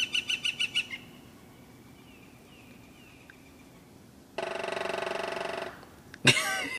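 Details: A woodpecker on Jordan Street drums on a metal gutter, waking everyone up: a short burst of about six ringing knocks, then a long, fast, resonant roll with a clanging metallic tone, ending in a sharp knock.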